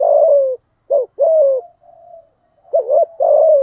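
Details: Spotted dove, "giọng thổ" voice, calling to provoke a rival male: a long falling coo, a short hoot and another long coo, a soft fading tail, then a wavering double note and a final sustained coo.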